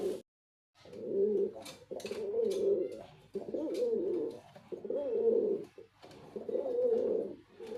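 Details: Repeated throaty cooing from a male white pigeon, five low phrases in quick succession with short gaps, plus a few sharp clicks.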